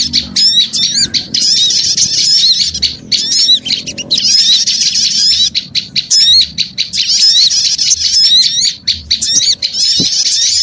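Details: Lure chorus of small birds, with rapid high twittering in clustered bursts about once a second and sharp frequency-swept notes, plus a faint low hum in places.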